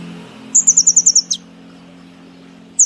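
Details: A brown-throated sunbird delivers a single short, rapid high trill that closes with a falling slur, followed by quiet with a low electrical-sounding hum and the start of another phrase; the bird is kept for song training.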